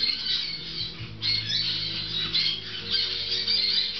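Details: Grey-cheeked parakeet babies six weeks old eating fresh food indoors; steady shrill squawks and scratchy chatter overlapping from multiple chicks, sharp high notes scattered throughout, faint low hum beneath.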